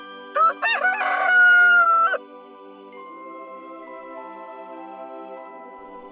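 A rooster crows: two quick rising notes, then a long, harsh, drawn-out cry, followed by soft chiming music.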